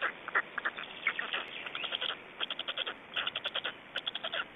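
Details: Estonian black storks at feeding, late afternoon of 25 May 2012; loud, rapid series of coarse chattering pulses, dense at first, then regular short bursts about four per second.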